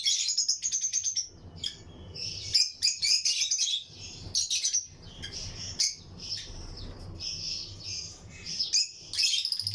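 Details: Caged Lutino lovebirds in a colony aviary, kept as breeding pairs with other birds around. The flock gives busy, overlapping high chirps, rapid twittering bursts and sharp squeaks, over a low background hum.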